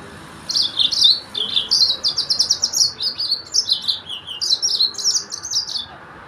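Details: A Yellow-fronted canary (Arabic local name Sudan finch, Mozambique) delivers a continuous six-second run of bright, rapid chirped notes, rising and falling quickly at a high pitch.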